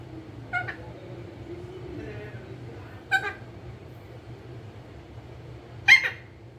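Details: Pet green ringneck parrot, said to be a talking bird, giving three short harsh squawks spaced a few seconds apart, the last loudest, over a steady low indoor hum with a faint murmur in between.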